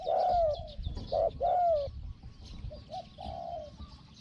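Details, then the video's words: Spotted dove used as a decoy to lure wild doves, its voice described as small and 'hong hong': three clear, level cooing notes, the last one long and drawn out, then softer, shorter coos amid faint rustling background. "ต่อนกเขาใหญ่ "เจ้าสาม"ตามตัวหมาย เสียงเล็ก หองๆ"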